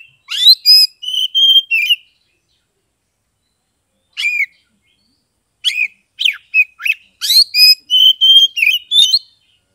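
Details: Kept Oriental magpie-robin in Kebumen, Central Java, delivering loud 'ngeplong' song meant to coax silent birds into singing: rich whistled phrases with sweeping slurred notes, a short pause, then rapid repeated bursts of bright whistles.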